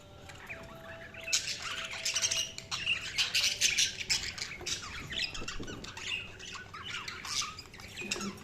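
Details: Budgerigars chirping: a dense stream of scratchy warbles, clicks and short squawks from several birds, rising and falling in intensity over low room noise.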